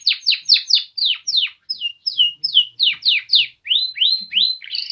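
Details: Male Polish canaries sing a series of loud down-slurred whistled notes, about three per second, switching midway to level whistles and then rising upward-sweeping notes.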